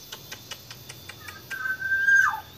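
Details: Green pigeon chicks, nine days old, being hand-fed at dawn; a series of soft clicks, then one long level whistle that falls away at its end.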